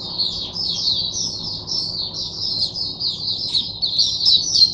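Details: Teacher oriental white-eye, a caged bird singing for other white-eyes on a Sunday, 22 January 2022: an extended rapid high warble of tumbling twitters, steady and continuous, with little other noise.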